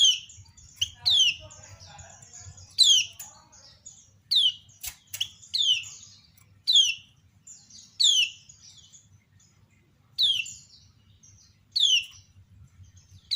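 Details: Calling female kecial kuning (common iora) prompting many other ioras to respond: steeply falling chirps, each loud and clear, spaced one to two seconds apart over a longer stretch, with faint softer twitters between.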